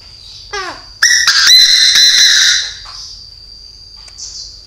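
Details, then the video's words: A Chinese francolin gives a very loud, harsh, ringing call lasting about two seconds, preceded by a few quick falling notes and followed by a thin high whistle. "Đa Đa Mồi Gáy cực to cực bạo"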